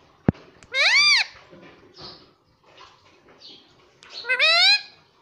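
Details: Pet green ring-necked parrot speaking indoors: two separate arched, harmonic word-like calls with a sharp click at the start and faint background noise between them.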